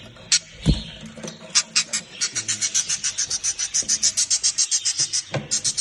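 A budgerigar gives a quick run of sharp, high chirps, about four every second.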